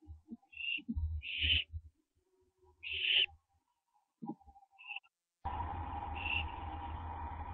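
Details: Barn owl owlets on a nest cam during branching, recorded before dawn at 4:07 AM on 15 September 2011; several short raspy hissing calls with soft thumps and shuffling, then a steady broad hum for the last two seconds.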